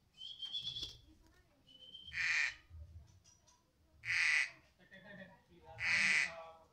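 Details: Female anis kembang (Orange-headed Thrush), newly arrived: three loud harsh, broad-band calls about every two seconds, preceded by a thin high whistled note, with low background rumble.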